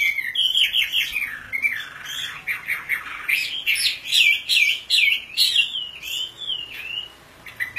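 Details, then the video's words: Oriental magpie-robin, some described as female or a small local type, delivering a rich, varied song of swooping whistles, quick chattering notes and rising slurs, loud and continuous with brief pauses. "kompilasi suara wambi gacor komplit"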